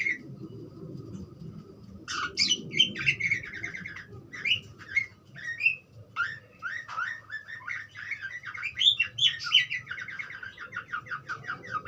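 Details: Budgerigar warbling: after two quiet seconds, a long rapid stream of chirps, clicks and short whistles runs almost without pause, over a faint low hum.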